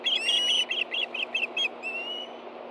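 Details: Osprey calling at a Montana nest in Hellgate Canyon, August 2013, as a fish is delivered to two hungry birds: seven short whistled chirps in quick succession followed by a longer thin whistle, over a hissing background.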